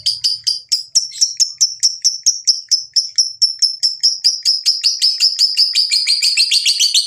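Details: Long ngekek chatter of a lovebird, meant to prompt other lovebirds to sing: a steady, rapid run of sharp high chirps, about two per second accelerating, becoming louder and rougher toward the close.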